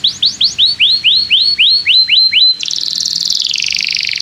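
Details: Canary in full song, meant to stimulate young canaries to learn: about ten looping upward whistles in steady succession, then a dense, high, buzzy trill that drifts lower.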